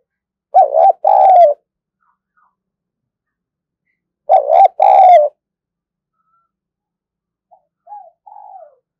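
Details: A spotted dove decoy bird repeats its two-part coo twice, about four seconds apart: a short wavering note, then a longer one. Quieter soft notes trail off near the end.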